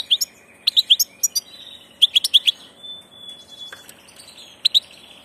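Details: European goldfinch of passage, a migrant, delivering clusters of quick bright chirps, a thin drawn-out whistle, then a final pair of sharp tweets.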